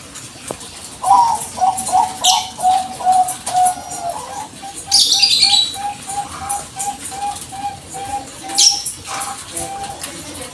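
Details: Bangkok zebra dove calling as a lure for other birds: an opening inflected coo runs into a long, fast train of short, level notes. Sharp high chirps from other small birds sound over it.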